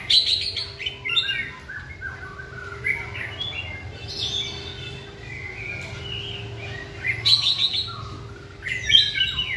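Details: White-rumped shama singing during a training session: bursts of varied high, rapid chirps and whistled phrases, strongest around the start, near seven seconds and at the end, over a steady low hum.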